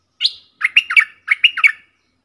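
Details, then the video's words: Captive bulbul, one of four decoy birds, calling: one high whistled note followed by two rapid groups of bubbly, rolling chirps that jump up and down in pitch, clean with no background noise. "เสียงต่อนกดอกแตงEp.68 เสียงต่อจากป่าจริงๆ นกต่อ4ตัว!!! Suara merbah lekir gacor"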